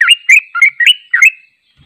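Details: Sooty-headed bulbul delivering its long training song: five quick, liquid, warbled notes running together in a bubbly phrase that trails off into silence.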